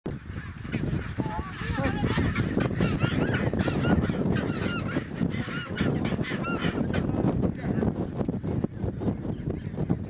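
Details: Chinstrap penguins in Antarctica during mating, a dense colony chorus of harsh, braying honks overlapping continuously, with chevron-shaped call notes over strong low-frequency wind rumble.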